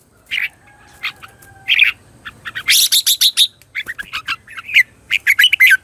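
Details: Red-whiskered bulbul competition-style lure song used to train birds and spur them into singing: bright whistled notes mixed with a harsh, scratchy chattering burst midway, followed by rapid clusters of sharp, tumbling notes, over a faint background rumble.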